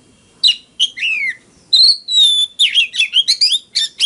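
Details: Oriental magpie-robin, a caged bird, singing a fighting song: clear whistled notes and long pure slurred whistles mixed with rapid chirps and trills, phrases broken by short pauses.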